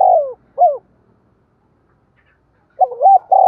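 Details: Low, throaty spotted dove coos, intended to get other doves cooing: a phrase ends with a falling coo and a short bent note, then after a silent gap a new phrase starts with a quick double note and rolling coo.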